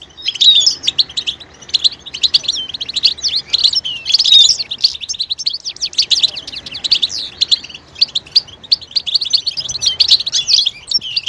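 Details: Continuous goldfinch twittering of the betbeta kind, mating-readiness calls that prompt males to sing: a rapid, unbroken stream of high chirps, trills and buzzy liquid notes, with a few clear whistled slides near the start.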